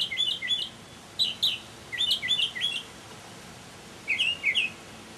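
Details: Singing mockingbird in early evening, May 2007, repeating a looping, warbled phrase in pairs and triplets, with short pauses between groups.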